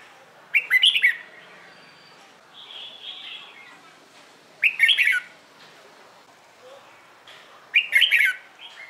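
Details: Red-whiskered bulbul singing in the morning, played to prompt newly caught birds to sing. Three punchy warbled phrases come about four and three seconds apart, with a soft, buzzy note heard between the first two.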